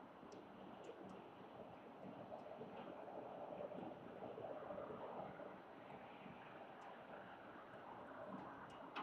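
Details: Steady broadband rushing noise, like wind or distant traffic, with faint scattered high clicks and no clear animal call.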